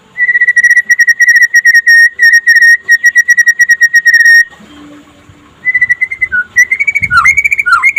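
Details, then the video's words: Daytime song of a white-rumped shama in the trotol style, used to prompt other shamas to sing: a long run of rapid, evenly spaced whistled notes on one pitch for about four seconds, a brief pause, then trills and swooping slurred whistles. "SUARA KICAUAN BURUNG MURAI PASTOL DINLAGI HARI AGAR CEPAT GACOR"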